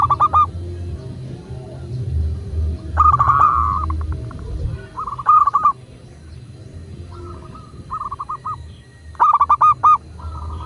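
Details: Local zebra dove (perkutut lokal) cooing, used as a master recording to prompt other doves to sing. Several short bursts of rapid, hollow, stuttering coo notes are scattered through the clip over a low, steady background rumble.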